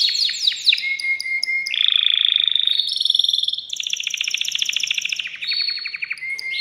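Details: Male canary singing to excite a female toward mating: quick falling whistled sweeps, a steady note, then long buzzy trills changing pitch in steps, ending on a plain whistle.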